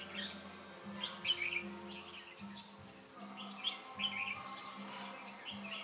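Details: Red-whiskered bulbul, a decoy used to lure wild birds during trapping on 8 October 2017: short bright chirpy phrases, clustered in two bursts, over a steady low hum and a thin high whine.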